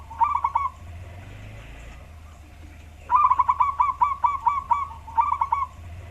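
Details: Wild local zebra dove whose deep, bass voice suits luring other birds. A brief cooing phrase comes first, then a pause, then a longer rolling series of hollow, evenly spaced notes ending in a short phrase. Low hum in the background.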